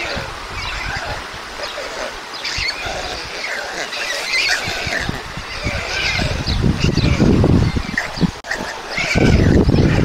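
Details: White stork nest at Mladé Buky, Czech Republic, 20 June 2022, during feeding of two beaks: harsh squealing calls in quick bursts, growing louder, mixed with loud low rumbling thumps toward the end.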